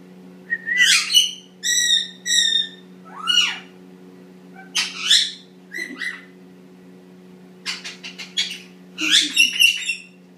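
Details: Indian ringneck parakeet, a pet male of eight months, making cute noises and practicing talking in the shower: varied squawks, clipped harmonic phrases and swooping chirps in short bouts over a constant low hum.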